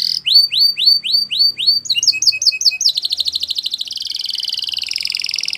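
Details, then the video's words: Spanish Timbrado canary song: series of sweeping upslurred whistles, then clipped paired notes, then an extended dense trill that speeds up into a continuous rattle. "Canary Bird Singing !! Spanish Timbrado Song"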